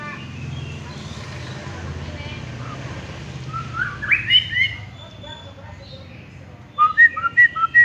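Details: Champion white-rumped shama, quieter and more distant at first: a brief rising warble mid-way, a pause, then a clear series of short whistled notes repeated rapidly at the end.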